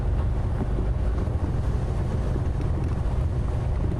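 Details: Steady loud wind buffeting the microphone with low rumble, no animal sounds.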